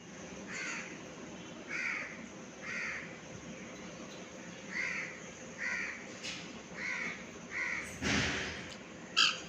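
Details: Pet cockatiels during flying practice give about eight harsh, screechy calls, each rising then falling, spaced roughly a second apart. A broad rushing noise and a sharp click come near the end.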